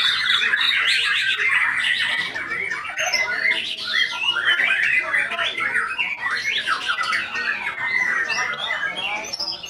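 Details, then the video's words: Energetic song of a white-rumped shama: a continuous stream of quick squawky chirps, rising and falling whistles and rattling notes delivered with barely a pause. "IN ACTION MURAI BATU SAKTI"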